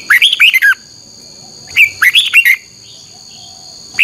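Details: Red-whiskered bulbul performing its morning training song, double-voiced twisting 'xoắn tít' style, used as lure sound for training birds. Two fast chirping, whistled phrases and the onset of a third, over steady faint high tones.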